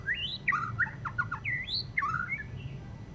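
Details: Murai batu, or white-rumped shama, after its moult, singing rough ngeriwik chatter: a rapid run of rising whistles, short downslurred notes and clipped chips packed into a busy three-second phrase, with a low background hum.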